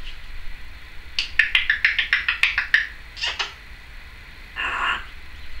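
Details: Pet female Timneh African grey parrot indoors, 2012, giving a fast run of about a dozen sharp clicking chirps, followed by two harsh squawks and a final raspy buzz.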